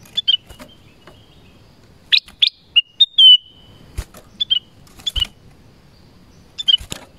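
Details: In forest, a black-crested bulbul gives short bright whistled phrases and chirps in scattered bursts, one longer level whistle near the middle, with a few sharp clicks between.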